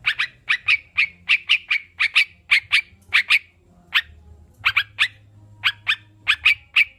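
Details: Sooty-headed bulbul training sound for kept birds: fast clusters of sharp chips, then sparser single and paired notes with gaps.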